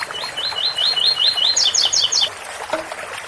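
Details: A double-collared seedeater gives its ouro fino song, called 8x4 or 7x4, beside a water fountain. Bright rising whistled notes repeat quickly, ending in four higher descending doublets, then a short pause with faint trickling.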